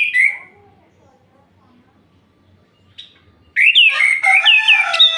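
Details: Orange-headed thrush night song meant to rile rival males: a brief whistled note opens, a long near-silence follows, then a loud, dense run of varied slurred whistles and rapid warbling notes.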